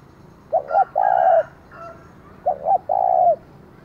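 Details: A spotted dove used as a decoy sounds its loud challenge to wild rivals. Two phrases, each two short coos and a long coo, come about two seconds apart, with faint higher bird calls between them.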